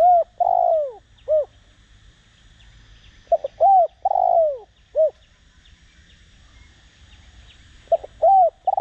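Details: Spotted dove, Vietnamese cu gáy, singing in the Đồng Rặc voice style, used as a decoy to provoke cooing; three phrases of low hooted coos, each a short note, a long falling rough coo and a final hoot, with faint distant chirps.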